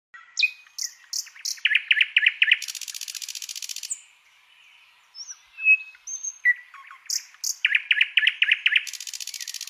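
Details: White-rumped shama (murai batu) master song recording for training songbirds: loud varied whistles and sharp chirps alternating with dense buzzy rattling trills, a brief quiet gap midway, then the whistles and rattles resume.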